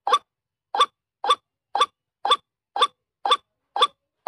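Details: Wild white-breasted waterhen lure call: short, sharp clucking notes given steadily about twice a second, nine in a row, with clean silence between them.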